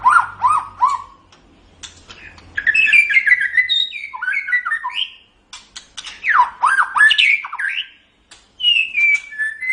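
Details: Song of a white-rumped shama recorded as tutoring material for other birds: rapid sequences of descending whistled notes, clicks and fluty phrases, ending in a drawn-out whistle; faint low rumble early on.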